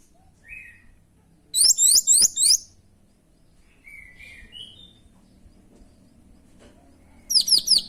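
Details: Orange-headed thrush singing loudly and actively: two bursts of rapid, very high, sharply slurred notes, each about a second long, separated by a quiet stretch with a few soft whistled notes.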